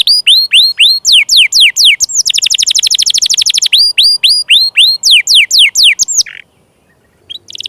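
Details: Canary song played to spur quiet or juvenile canaries: repeated upswept whistles, a buzzy fast trill, more whistled loops, then a brief harsh note and near silence before another burst.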